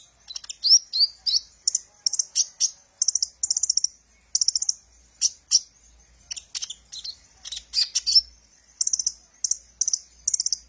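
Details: Kolibri ninja sunbird song used to lure and train birds; quick runs of thin, high chirps in clustered bursts, a few sweeping notes near the start, faint low rumble underneath.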